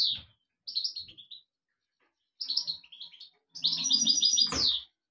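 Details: Singing European goldfinch giving quick descending twittered phrases, then a fast rippling trill ending in a sharp downward sweep, with a faint low rumble beneath the trill.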